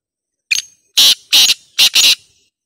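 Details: Loud black francolin phrase, said to draw a reply from any francolin: a brief opening note followed by four grating, broadband bursts grouped as two pairs, lasting roughly two seconds, with no other sounds.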